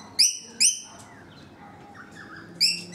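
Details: Three sharp, high squeaky notes from rainbow lorikeets on a balcony: two close together, a long gap, then a third, over a faint background hum.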